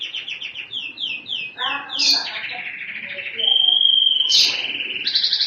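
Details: Energetic canary song: quick repeated chirps sliding downward, a chattering section, then a long bright sustained whistle flowing into rapid buzzy trills, loud and continuous throughout.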